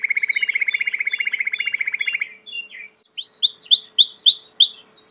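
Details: Belgian canary giving a low rolling trill of rapid notes, a brief pause, then a string of bright upward-sweeping whistled notes repeated about four times a second.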